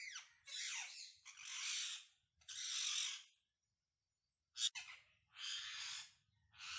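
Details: Wild parrots giving long harsh screeching squawks, each about half a second to a second, broken by pauses and one sharp click, a communication call with low rumbling in the background.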